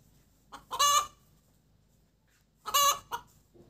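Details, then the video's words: Hen after laying an egg, giving two loud harsh squawks nearly two seconds apart, each preceded by a short cluck and followed by another. "Gà mái đẻ kêu cục tác"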